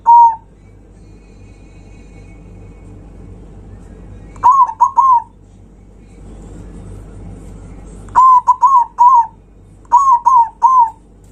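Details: Loud zebra dove song aimed at stirring up rivals: a lone coo, then three bursts of quick, ringing cooing notes in threes and fours, separated by pauses of several seconds over faint background hiss.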